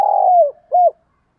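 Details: Spotted dove serving as a decoy for wild doves. The tail of a phrase is heard: a long, buzzy coo falling away, then one clean arched note before silence.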